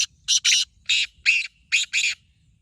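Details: Black francolin calling in a voice contest between two birds, numbers 1 and 2: seven harsh, rasping broadband notes packed into about two seconds, some single and some in quick pairs, with a quiet background.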